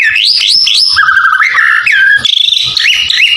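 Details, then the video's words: Energetic white-rumped shama song rich in filler phrases, played to provoke other birds: clear whistled notes sliding upward in quick steps, a lower held whistle, then repeated high rising phrases with brief crackly interruptions. "MURAI BATU BIKIN EMOSI LAWAN FULL ISIAN | SUARA MURAI BATU GACOR UNTUK PANCINGAN BURUNG"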